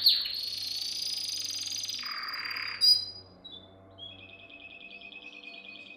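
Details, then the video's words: Canary song used to train young canaries: a sustained buzzy high trill drops into a lower rolling churr, a sharp burst, then a quieter thin evenly pulsed trill after a short pause, over a faint hum. "Most powerful song for training Canary"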